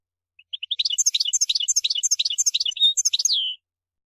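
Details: A European goldfinch, known locally as mguenin, pours out a fast tinkling song. Short bright chirps repeat in quick succession, broken by a brief whistled note near the end and closed by a falling slur. The background is quiet.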